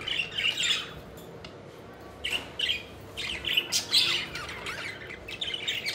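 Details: Pet budgies fluttering and playing, bursts of harsh squawky chirps and warbles separated by brief quieter gaps, several birds calling in turn.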